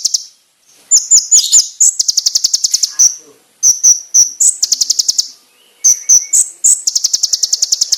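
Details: Konin bird training song: quick high twittering notes lead into repeated fast chattering trills, each broken by short bright whistles, in loud, clear phrases with brief silences.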